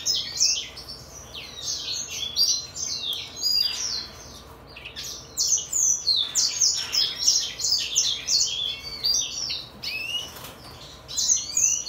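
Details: Song of a 2022 brimstone canary x greenfinch hybrid: a long, continuous run of quick, high, twittering notes with buzzy trills and sweeping slurred whistles, delivered in tight overlapping bursts with only brief breaks.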